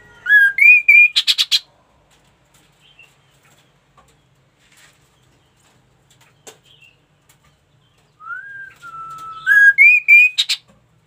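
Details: Ashy tailorbird in full song: short phrases of rising, rich notes, each ending in a harsh buzzy trill, with a long quiet gap between phrases.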